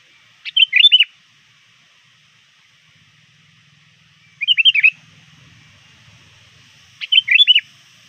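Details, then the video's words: Sooty-headed bulbul lure bird calling rivals approaching dusk, repeating a bubbly, rapid whistled phrase three times, roughly every three seconds, with faint low murmuring between. "suara burung kutilang gacor memanggil lawan"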